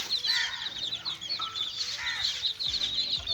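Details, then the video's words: Several little chicks at play, calling in an unbroken stream of shrill, short peeps, now and then a slightly lower, longer chirp standing out. "little chicks playing"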